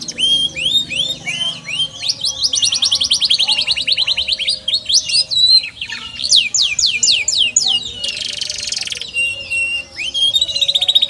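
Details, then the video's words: Canary singing a long, varied song: rapid rolling trills, fast repeated downward-sweeping notes, and a harsh buzzy burst midway, continuing without pause. "KENARI CORDOR"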